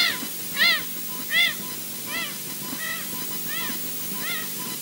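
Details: Osprey at a Loch Garten, Scotland nest as an unringed male lands and is driven off and a passing bird is heard: seven clear, whistled, slightly arched notes about 0.7 s apart over wind or water hiss.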